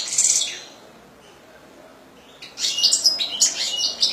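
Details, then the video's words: Goldfinch song: a short, high twittering burst, a silent gap, then a longer run of sharp, liquid chirps and tinkling notes. "حسون رقم 2"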